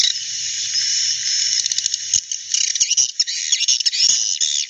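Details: Edible-nest swiftlet colony in their original, quiet-sounding call: a continuous high buzzy chatter that breaks midway into choppy bursts of sharp chirps and squeaky notes with short gaps.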